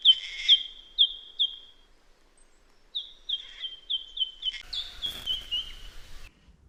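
White-throated Treecreeper piping: a run of sharp, high, slightly falling piped notes, about two to three per second, pausing then resuming; faint background noise near the end.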